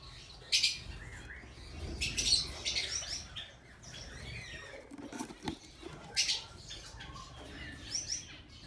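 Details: A colony of Java sparrows, including fawn birds, gives short, high chirps in scattered bursts, with several birds calling over soft wing flutters and rustling.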